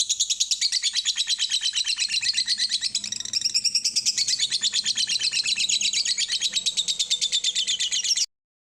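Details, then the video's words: Lovebird on a lure recording to make birds sing: a continuous fast, high chattering trill lasting about eight seconds, then stopping abruptly. "Garansi burung pasti gacor setelah denger ini"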